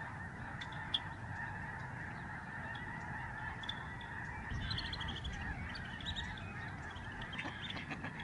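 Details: Overhead flock of Lesser Snow Geese, George C. Reifel Migratory Bird Sanctuary, British Columbia area of Canada's Pacific coast, November 2011: an unbroken clamour of honking that thickens near the middle, with a rumbling low-frequency background.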